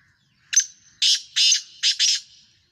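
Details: Black Francolin of the Sindhi type in Pakistan giving its call: a short sharp opening note, then four harsh grating bursts in two quick pairs, loud against near silence.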